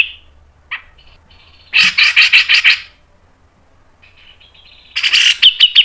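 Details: Grey-cheeked bulbul in a lure recording of fast song: a brief note, then about six loud, pulsing, harsh syllables in quick succession, a pause and another rapid burst.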